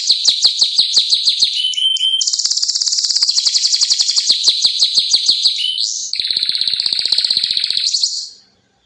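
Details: Sustained canary song of quick repeated clicking notes that merge into a long, even, high rolling trill, then a harsher buzzy trill before ending in silence.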